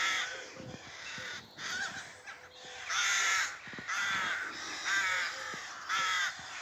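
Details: Several rooks at a nesting site in a small urban spinney in Pulford, Chester, just before 6am on 27 April 2024, with a nest being fed, give harsh, raspy overlapping caws about once a second, with a few quieter clicks and knocks.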